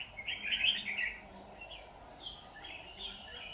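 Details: Red-whiskered bulbul heard while trapping with a decoy on 23 September 2019. One loud, bright, jumbled warble of rapid notes, followed by softer, scattered chirpy phrases over a low steady hiss.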